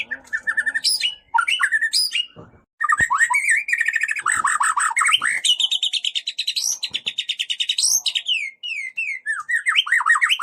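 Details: White-rumped shama song used to provoke other shamas into singing: fast varied phrases of clear rising and falling whistles, rapid trills and sharp clicks, rich and continuous with brief pauses.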